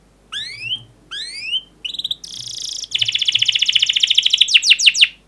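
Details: Singing domestic canary in full, energetic song used to stimulate other canaries to sing: two rising whistled sweeps, a short buzz, then a long fast rattling trill ending in quick descending notes.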